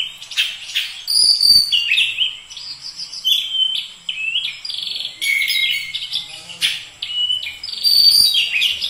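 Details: Oriental magpie-robin (kacer) singing steadily: a rich, varied run of high whistles, sharp chirps and buzzy phrases, some notes rising and others falling, delivered rapidly with brief pauses between bursts.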